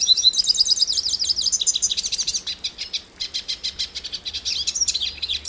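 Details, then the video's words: Hooded siskin of Brazil delivering a rapid series of high whistled slurs followed by dense, scratchy twitters and buzzes in quick succession. "The Song of the Pintassilgo Cabeça Preta"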